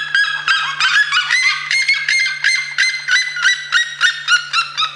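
A red-legged seriema gives a loud, rapid run of harsh, yelping notes, about three a second, over a faint steady low hum.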